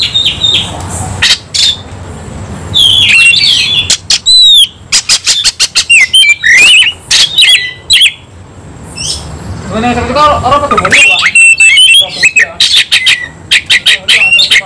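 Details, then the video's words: Oriental magpie-robin fighting intensely, mixing rapid staccato clicks and ticks with loud whistled and buzzy phrases, a run of dry clicks in the middle, then a long dense stretch of chattering song. "kacer langsung KONSLET tarung ngotot full emotional"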